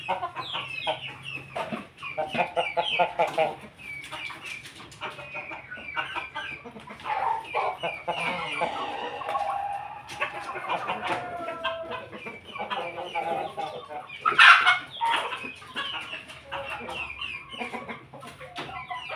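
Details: Chickens at midday, feeding together as a family; said to be crosses of Pelung, Bangkok, laughing and Jogja breeds. They cluck steadily, with drawn-out, rolling crow-like calls rising above the flock's chatter.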